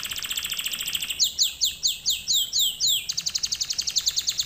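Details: Canary lesson song: a fast chipping trill, then about eight slow down-swooping whistled notes, followed by another quick run of bright repeated notes.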